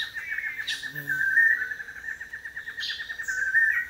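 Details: Male long-tailed manakins displaying for females on a lek perch in Costa Rica: a long, steady, trilled nasal tone held for several seconds, with brief high chirps from other birds.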